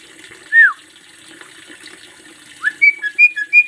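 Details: Javan myna, a master lure recording, giving a loud falling whistle, then after a pause a quick run of short bright whistles and chirps, with a faint background hiss.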